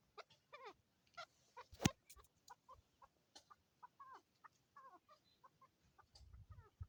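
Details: Male and female chukar partridges in Swat, Pakistan give a steady series of short, harsh clucking chuck notes, several each second, broken by one sharp click and a low rumble near the end.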